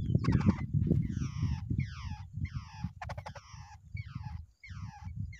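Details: A pair of wild babblers at the nest call in steady series of rasping, downslurred notes, about three per second, with a couple of scratchy bursts and a low background rumble.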